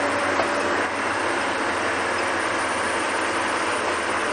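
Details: Steady broadband rumble and hiss like a moving vehicle or train, with no animal calls heard.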